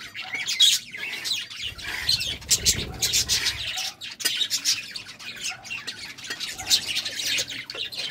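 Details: Budgerigars in courtship: continuous chattering warble of harsh chirps and rapid clicks, some squawky notes, with faint low rumbling in the background.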